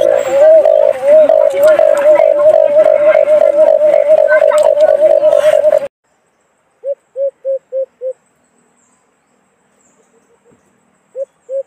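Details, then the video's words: Low, rapidly pulsed hooting of a white-eared brown dove, used as a hunting trap lure, comes first with harsh, distorted crackle. After a silence come two short bursts of clean, evenly spaced low hoots. "Magandang huni ng alimokon"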